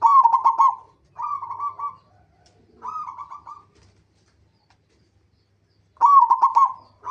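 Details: Local zebra dove singing as a lure to set other zebra doves singing: purring, rapidly pulsed cooing phrases, each about a second long, given four times, with quiet gaps between them.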